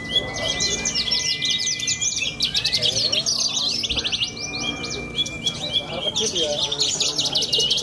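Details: From Cilacap, Java, a champion young bushlark sings an energetic run of high buzzy trills and sharp twitters, pausing briefly near the middle. Thin whistled tones cross the song, and soft voices can be heard behind it.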